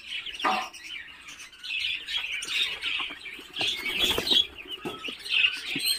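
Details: Muscovy ducklings hatching in an incubator after 28 days, calling as a dense chorus of high peeps with a few sharper cheeps standing out, plus soft knocks and rustling.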